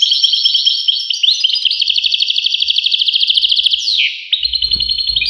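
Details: European goldfinch song of rapid bright twitters, then a sharp downward slurred note near four seconds before the twittering resumes; faint low thumps in the background.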